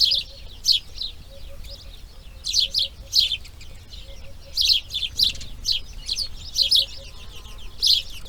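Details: Rasping, chattering calls of grey heron chicks in their nest during the second day of breeding, delivered in quick doublets and triplets with brief pauses between groups.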